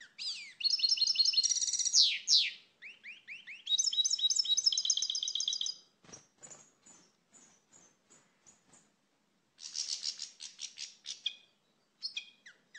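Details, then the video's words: Bursts of rapid, tinkling twitters and trills from a European goldfinch, known as pintassilgo português, separated by quieter stretches of scattered short chirps, with faint background noise. "Canto do Pintassilgo Português, pássaro com canto bonito (Carduelis Carduelis)"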